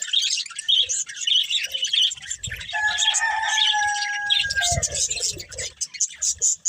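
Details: Breeding pair of budgerigars kept as pets, giving busy high chirping and warbling chatter throughout, with a few longer whistled tones in the middle and soft low bumps underneath.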